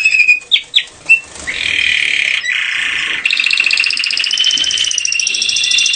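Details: A canary, described as a Gloster canary, sings its mating song loudly and without pause: a few sharp chips, then long buzzy trills and rapid rolling phrases, high and bright throughout.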